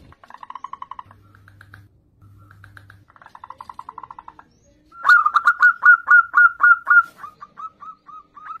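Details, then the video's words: Zebra dove lure song for young birds: faint buzzy trills at first, then a loud run of quick, evenly spaced mellow coos trailing off into softer notes. "PERKUTUT GACOR syahdu buat Kelangenan Pancingan Perkutut Bahan"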